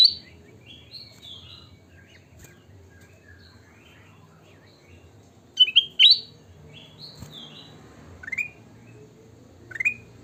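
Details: Sooty-headed bulbul (kutilang emas) singing: scattered short phrases of soft, slurred whistles, then louder bubbly bursts with long quiet spells between them. A low hum sits in the background.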